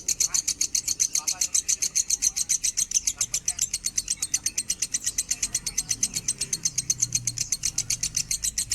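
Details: Lovebird in minor standard-tone song, used as training material for other birds: an unbroken, rhythmic stream of bright, shrill chirps around four each second, a few softer twitters mixed in.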